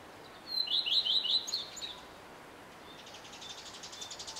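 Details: Singing male common redstart: a high whistle leading into four quick repeated slurred notes and a short twitter, followed by faint distant high chittering from another bird.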